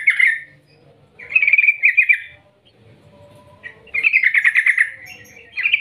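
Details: Yellow-vented bulbul in lively voice, recorded as a lure to make other bulbuls sing, giving a long rolling 'ngerol ngetir' call. Short bubbly bursts of quick notes come at irregular intervals, with a longer rattling run near the end.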